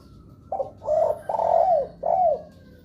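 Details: Spotted dove giving a lure call that sets other doves calling: a brief low note, then two rough drawn-out coos and a shorter coo dropping in pitch at the end, over a low background hum.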